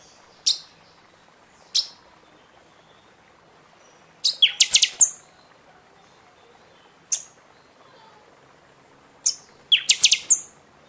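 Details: Buffy-fronted seedeater, known locally as pixoxó, singing a lot in season, played to stimulate caged birds after their moult; brief high sharp notes spaced a second or more apart, then two fast buzzy trilled bursts of rapid repeated notes.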